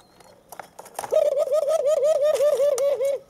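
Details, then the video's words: White dove chicks aged 23 days, one perched on a stick and one learning to peck the ground. A tremulous whistled note wobbles up and down in rapid regular pulses for about two seconds, with light tapping before it. "Crías de tórtola blanca"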